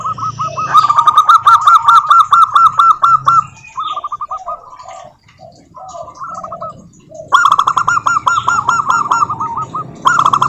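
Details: Local zebra doves singing as a lure to make other doves sing: loud, dense runs of rapid rolling coo notes, a quieter middle section of softer phrases and chirps, then another strong burst.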